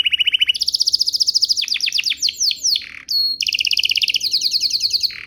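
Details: Canary song used to make other canaries sing in answer: a quick trill, a run of steeply falling sweeps, a short high whistle, then another rapid rolling trill.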